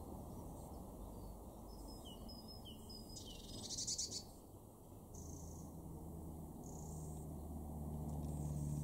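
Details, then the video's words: Eurasian blue tit in a garden in Weener, East Frisia, northwest Germany, March 2024, gives thin, high see-see notes, then a brief buzzy churr, over a steady low rumble of background noise. "blue tit"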